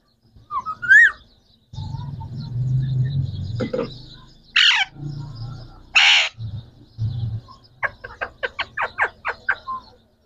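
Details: Three green Pakistani talking parrots: a rising squeal, low murmuring background noise, two loud harsh squawks, then a rapid train of short sharp notes near the end.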